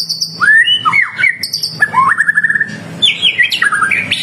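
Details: Energetic white-rumped shama song used to make other shamas respond: loud rich warbled phrases with fast chattering trills, rising whistles and high sharp notes in quick succession.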